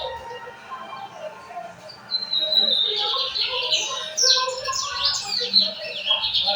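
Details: Lined seedeater from São Luís, recorded on 14 May 2025. After a quieter start, a fast, varied, high twittering song breaks in with buzzy trills and sliding whistled notes. A low murmur runs underneath.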